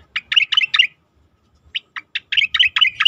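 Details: Asian pied starling song from a recording meant to train contest birds: a tight burst of bright, slurred chirps, a brief silence, then a longer chattering run of sharp notes.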